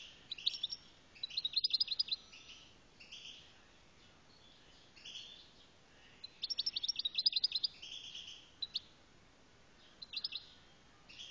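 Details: Algerian goldfinch singing in high, tinkling bursts of rapid twittering notes, two longer phrases about five seconds apart with shorter chirpy fragments between, over a faint steady background hiss.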